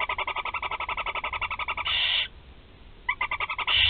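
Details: Four young barn owls being fed at the nest in Théding, 16 July 2020: fast, even runs of raspy clicking pulses, broken by a loud hissing burst, a short pause, then more pulsed clicking.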